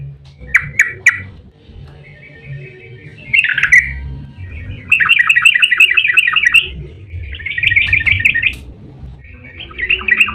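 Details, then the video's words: Yellow-vented bulbul song in the fast 'ropel' style, played to stimulate other bulbuls to answer: separate bursts of rapid, tightly packed chattering notes lasting one to two seconds, with quieter gaps and faint background rumble between them. "Suara trucukan GACOR EMOSI ROPEL PANJANG buat pancingan trucuk agar cepat bunyi"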